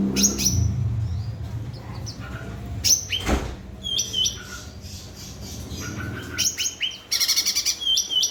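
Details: Cucak ranting, or grey-bellied bulbul, in vigorous song used to trigger silent birds: scattered high slurred chirps, a dull thump near the middle, and a rapid trill-like burst toward the end, over low rumble.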